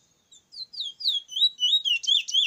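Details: A Chestnut-bellied Seed-finch, locally called a bullfinch, from Icacos sings a fast, sweet warble of sliding whistled notes that grows fuller and more continuous, with no other sounds.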